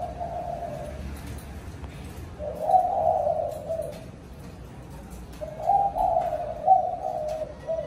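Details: In the evening a spotted dove calls its flock with two main bursts of deep, burry cooing, each lasting over a second, separated by a long pause of near silence.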